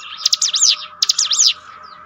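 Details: Ciblek gunung singing for mental training: two quick phrases of bright, high zigzag whistles with sharp chips, over a constant lower humming tone.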